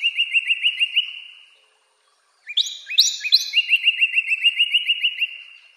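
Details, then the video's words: A Northern Cardinal (Cardinalis cardinalis) calls with a quick series of bright, slurred whistled notes, about five a second, then pauses before a sharper burst and a longer run of the same notes. "Northern Cardinal (Cardinalis cardinalis) Calling"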